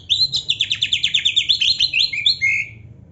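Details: Oriental magpie-robin in full song, filled with canary phrases: a rapid, even series of high buzzy notes repeated about three times a second, slowing into a few drawn-out downslurred whistles at the end.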